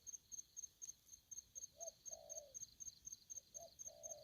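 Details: Aggressive spotted dove calling: two low cooing phrases, each a brief soft note followed by a longer, drawn-out coo, over steady, fast, high-pitched cricket chirping throughout.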